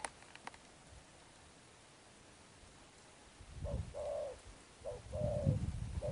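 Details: Spotted dove, a wild-caught bird, giving Sấm Thổ-style coos: silence at first, then a few short notes and longer low, husky coos over a deep rumbling background noise.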